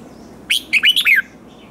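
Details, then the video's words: Red-whiskered bulbul, a newly caught wild bird, in competitive singing: one sharp rising whistle, then a quick run of four warbled, looping whistled notes sliding downward, over a quiet background. "Kích Chào Mào Hót Ché/ Kích Chào Mào Bổi Hót Đấu Mới Nhất"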